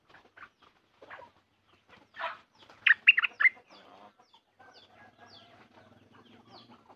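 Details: Sooty-headed bulbul kept at home, recorded 28 December 2019: a bright burst of three or four quick warbled notes around mid-pitch, preceded by scattered softer chirps and followed by faint background bird calls.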